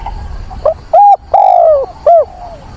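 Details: A single cooing phrase from a caged decoy dove seeking a mate in windy, rainy weather, 24 September: a faint opening note, a clear level coo, a long sagging coo and a short closing note, over a quiet rumbling background.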